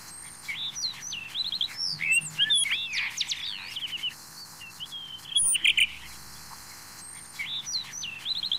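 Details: Blue rock thrush of the blue-bellied subspecies pandoo singing varied whistled phrases, warbling notes rising and falling around mid-high pitch in short bursts, with thin high sharp notes interspersed and a quiet background.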